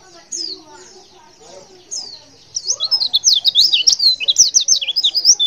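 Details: Calling female white-eye, used to prompt males to answer: after a few isolated high chirps, a rapid run of thin, bright, zigzagging notes builds and continues to the end.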